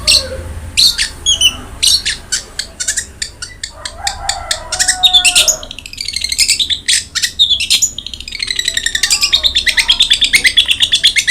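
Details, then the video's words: Long-tailed shrike in an extended, varied song, used to encourage a quiet caged bird to sing: fast rasping chatter, brief whistled phrases, then long runs of rapid, buzzy repeated notes. "BURUNG CENDET GACOR| Masteran Wajib Untuk Burung Cendet Malas bunyi"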